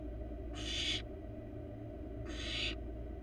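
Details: Two drawn-out rasping hisses, about half a second each and under two seconds apart, from a wild barn owl nestling in its nest box, steady hum underneath.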